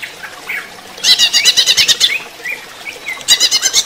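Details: Greater green leafbird song in a running-water therapy session: quiet slurred notes, then a loud, fast chattering phrase with interwoven whistles, a short pause, and another rapid burst.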